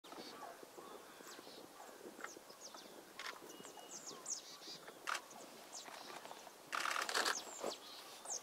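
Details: Marsh tit (Poecile palustris hensoni) giving short, sharp scattered notes, then a harsh buzzy burst of repeated 'dee' notes near the end, over a busy background of other small chips.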